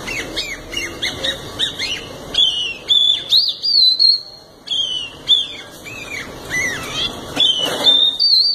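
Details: Canary delivering full song: clear whistled phrases, some rising and bending, others held as long pure notes, alternating with quick chirps and short gaps between bursts.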